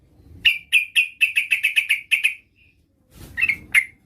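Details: A female yellow-vented bulbul calls for a male with a quick string of about ten bright chirps, a short gap, then two more louder chirps after a burst of rustling.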